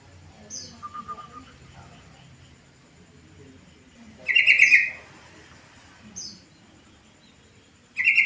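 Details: Yellow-vented bulbul giving its afternoon call that draws other bulbuls to reply: two loud, liquid bubbling bursts about four seconds apart. Before them comes a softer, thin whistled note. Faint chirps and a low rumble sit in the background.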